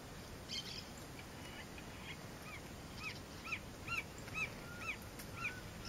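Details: A male Green-barred Woodpecker (Colaptes melanochloros nattereri) at its nest in a fence post gives about six clear arched notes, roughly two per second, over steady hiss, at Fazenda Santa Tereza, Pantanal, Brazil, on 27 September 2013.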